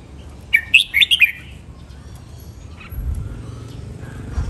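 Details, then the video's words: Training song of a red-whiskered bulbul in the len rik, nap dok, mae bot and lak wai styles: one crisp, bouncing phrase of several whistled notes, followed by quiet and a low rumbling noise. "นกกรงหัวจุก เจ้าขุนอินทร์ เสียงร้องเล่นริก นับดอก แม่บท ลากหวาย คมชัด สำนวนเพราะ เสียงฝึกร้อง"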